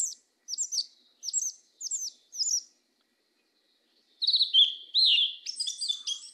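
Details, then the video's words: Yellow-legged thrush (Turdus flavipes) in 'mateiro do sul' song: four evenly spaced short looping whistles, a quiet break of over a second, then a louder rich warbling phrase. "SABIÁ PRETA CANTO MATEIRO DO SUL"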